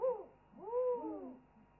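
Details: Owls in a chorus picked up by a wildlife webcam: a short bright call, then a longer, smooth arching hoot that rises, holds and sinks away.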